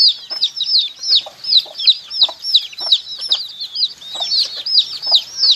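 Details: Chicks peep loudly and steadily in a rapid chorus. Each note is a piercing, high, down-curved chirp, with about 160 per minute in uneven bursts, against a quiet background.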